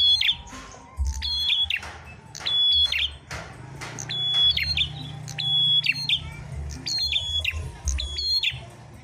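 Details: Prinia song from a fighting duel of prenjak merah, sung as tutor material: bright high whistles followed by clipped chattering notes, coming in uneven clusters over a droning low background.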